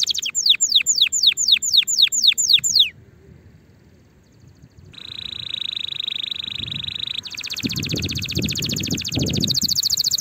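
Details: Canary singing for young birds learning before the coming season: about ten rapid falling sweeps, a short pause, then long buzzy rolled trills that rise higher in pitch, with faint low rustling.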